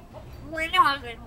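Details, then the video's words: Pet common hill myna imitating human speech, saying "good morning": a short harmonic-rich spoken phrase with a rising then falling contour, clear over a quiet indoor background. "My bird speaking "Good Morning" -:- นกขุนทองพูด Good morning"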